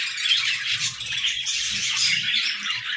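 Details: Budgerigars chatter in an aviary: a thick wash of overlapping high chirps, squeaks and warbles at an even loudness.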